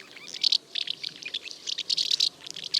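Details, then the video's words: Common house martins at a breeding colony twitter constantly, as if talking to each other: a steady stream of dry, high chirrups and chatter, several notes per second, with no other sounds. "Городские ласточки постоянно щебечут и кажутся, будто переговариваются друг с другом."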